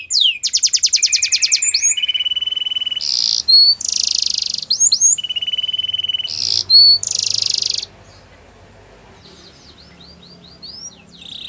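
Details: Belgian canary, training song: long, even, high buzzing trills broken by bright short whistles. After a pause the trills stop and soft, scattered high chirps continue over a faint background hiss.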